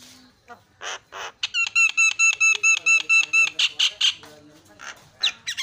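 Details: Asian pied starling singing to provoke other starlings, opening with buzzy calls, then a rapid ringing series of metallic notes, and closing with loud harsh squawks.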